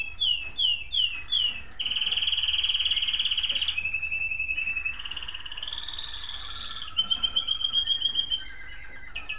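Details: American Singer canaries singing in a bird room in the evening as it grows darker: a run of short slurred notes, then sustained buzzy rolls and steady trills, ending in a quick pulsed trill.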